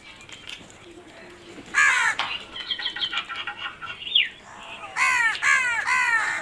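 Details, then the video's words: Crows cawing: harsh, hoarse caws come in two loud bursts, one near the start and a run of three or four in quick succession near the end, with softer chattering calls between them. "Crow sounds"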